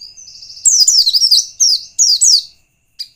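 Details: White-eye song used as a lure to provoke other white-eyes: rapid high twittering bursts of descending slurred chirps, preceded by a faint thin trill, ending with a short chirp.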